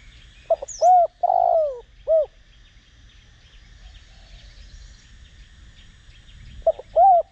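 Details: Spotted dove used as a decoy to draw other doves into cooing, with Đồng Rặc voice. Short low hooting coos and one longer held note form a burst, then nearly four seconds of quiet, then another burst of short coos.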